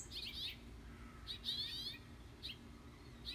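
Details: House finch parents on a front porch give calls to their young: bright, warbled chirps in four short bursts about a second apart, high-pitched and slightly buzzy, over a low background rumble.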